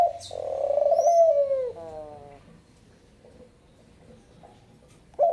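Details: A Picazuro pigeon delivers a long, deep, vibrating coo that slowly drops in pitch, followed by a softer descending tail. Small birds chirp faintly, and a new coo begins at the very end.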